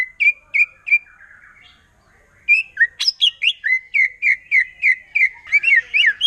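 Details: Wild forest white-rumped shama in provoking song: a few bright chirps, a soft pause, then a fast run of sharp whistled notes at a steady clip, ending in busier twittering.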